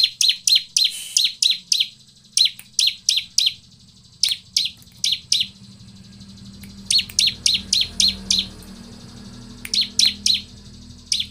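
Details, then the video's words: A bar-winged prinia gives runs of five to seven sharp, high, chipping notes, each run quick and even, separated by short pauses, over a faint low hum. "PANCINGAN CIBLEK AGAR BUNYI DAN CEPAT GACOR"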